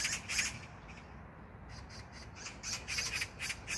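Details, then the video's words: Rasping magpie chatter in a Gyeyang-gu park, Incheon, Korea, June 19, 2022: loud grating notes, a short pause, then a renewed run of fast scratchy bursts. "magpie sound(까치소리)"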